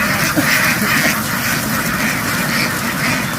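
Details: Loud flock of farm ducks in a field, dashing into the water and jumping back ashore; rapid, uneven quacks overlap into a steady noisy chorus.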